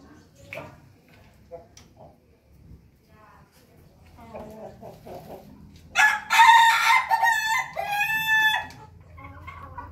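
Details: Pelung rooster crowing: after soft scattered clucks, a loud, long crow bursts out and holds for nearly three seconds, its tone wavering and falling at the end.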